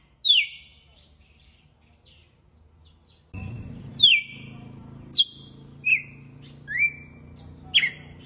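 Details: Red-cowled cardinal singing the açoite song style: six loud, clear whistled notes, mostly sharp downslurs with a few rising slurs, spaced about a second apart. A low hum runs under the second half.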